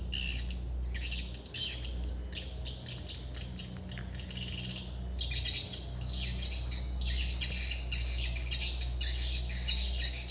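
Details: Lure sound at a swiftlet house: bursts of high, rapid chittering chirps separated by short pauses, over a faint low hum and a constant high hiss.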